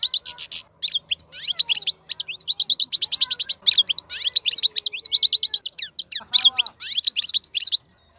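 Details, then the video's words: Wild European goldfinch, described as the most powerful singer among birds, delivering a dense, fast stream of high bright twitters, trills and buzzy notes in short bursts with brief gaps, one lower slurred note near the end. "تغريد الحسون خلوي ممتاز.هذا مقنين هو الأكثر قوة بين الطيور"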